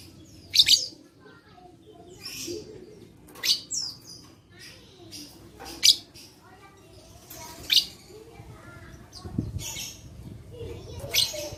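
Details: Lovebird voice offered as therapy for lovebirds reluctant to sing, dated 11/4/21; piercing high chirps repeated every one to two seconds, with fainter rasping notes between them and a low background murmur.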